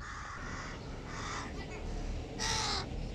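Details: Giant hooded crow chicks at breakfast beside the adults utter drawn-out, grating caws, three rasping notes followed by a louder, harsher final call, against low rumbling background noise.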